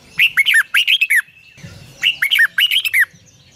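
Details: Red-whiskered bulbul practising its morning song: two closely matched phrases of rapid, rich, looping whistles, each about a second long, with a short held tone and soft low rustling between them.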